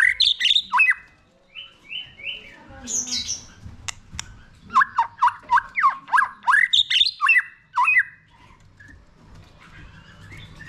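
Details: White-rumped shama singing to rouse a newly caught bird: rich fluty phrases, a few short level whistles, then a long rhythmic series of rapid down-slurred notes repeated several times a second.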